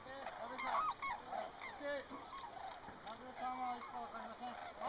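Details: A flock of white-naped cranes circling in search of thermals as they begin northward migration, Arasaki, 27 January 2010, gives overlapping loud trumpeting and honking calls, some rising, some falling, in a steady clamour.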